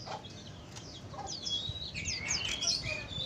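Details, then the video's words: Sooty-headed bulbul song meant to lure wild birds: lively slurred chirps and whistled notes growing busier toward the end, with light low thumps underneath. "Trucukan buat pancingan trucuk liar"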